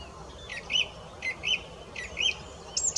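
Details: A song thrush repeats one short phrase three times, each a buzzy note and a clear whistle, with a pause between repeats and a final high note at the end.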